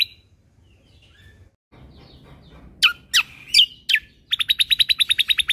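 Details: Greater green leafbird (cucak kombo), a caged bird in full song used to train other birds. Four loud, separate down-swept whistles, then a brisk run of about fourteen high, evenly spaced repeated notes.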